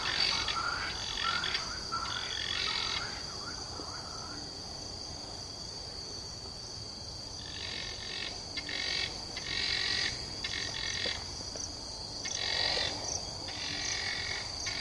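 Guineafowl giving harsh, rasping bursts of repeated cackling notes over a steady high insect drone.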